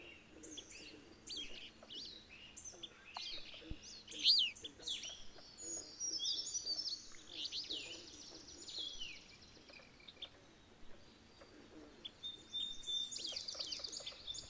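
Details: Alder flycatchers in Maine, a pair very vocal while chasing a rival alder flycatcher from their territory; a long run of varied high chips, buzzy slurs and sharp squeaky notes, busiest early, then softer calls.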